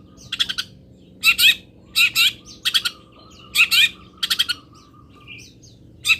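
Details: Long-tailed shrike, local Indonesian type, song with bursts of harsh, buzzy high notes in clustered phrases, some rising chattering elements, separated by short pauses; faint low hum underneath.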